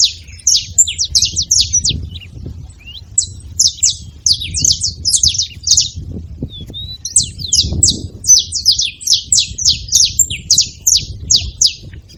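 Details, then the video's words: Free-living saffron finches gathered at a bait feeder calling together: bursts of quick, high, slurred chirps in clusters, a brief lull near the middle, then a renewed busy chorus over soft low background rumble. "Canarinhos da terra livre na seva fazendo barulho"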